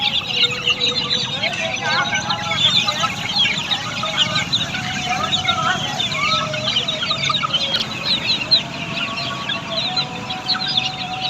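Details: Many Australorp chicks on a poultry farm, continuous high-pitched peeping with scattered lower calls and a faint voice and hum in the background.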